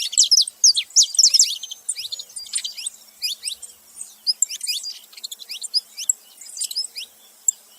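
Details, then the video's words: A loud burst of rapid, high, downslurred chirps from saffron finches opens, followed by quieter, irregular twittering notes with no other clear sounds. "canário da terra fazendo barulho"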